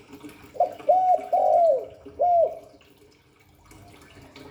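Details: Spotted dove cooing in the Hạp Bổi style: one short note and a hooked coo, a long falling coo, then one rounded closing coo, followed by quiet background noise.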